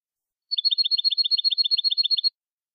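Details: European goldfinch, copia malaga song style used to tutor fledglings: a steady, rapid trill of alternating high and slightly lower chirps lasting nearly two seconds, clean with no background sound.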